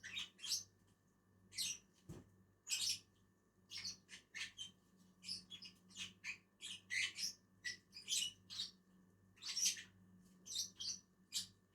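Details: Two lovebirds feeding in a tree chatter in a fast, uneven run of sharp, squeaky high chirps, nearly continuous for several seconds, with one low thump and a constant background hum.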